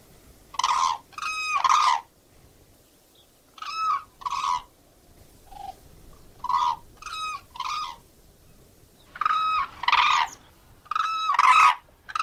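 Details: Crane calling in a series of ringing, rolling bugle notes, mostly in pairs with short pauses, and ending in a denser run of loud trumpeting.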